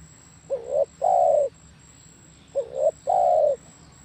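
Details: Two spotted dove song phrases about 2.5 seconds apart, each a short soft note, a rising coo, then a long sustained mellow coo that drops slightly in pitch.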